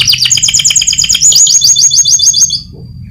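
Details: Competition-winning canary used as a master song for training other birds: fast trilled phrases of repeated high notes, shifting pitch between rapid sections, ending abruptly with a faint low hum underneath.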